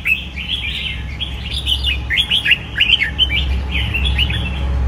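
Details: Caged red-whiskered bulbul sings a clear series of bouncy, up-and-down whistled notes, about two to three per second, each a sharp slurred chirp, over a low background hum.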